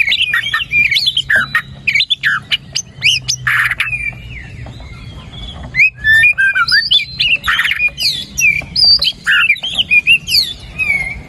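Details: Energetic white-rumped shama song used to stimulate a quiet bird: dense run of whistles, rasping squawks and rapid chattering notes, richly varied and nearly unbroken.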